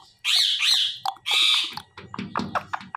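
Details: Pet talking parrot known for mimicking words gives loud harsh squawks, two long drawn-out screeches followed by shorter clipped, chattering bursts; faint music and a person's voice in the background.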